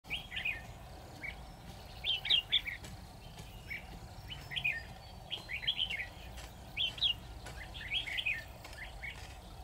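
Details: Red-whiskered bulbul used as a decoy at a trap set for a lone, wary wild bird: short warbled phrases around a high pitch, given in bursts roughly every one to two seconds over steady low background hum.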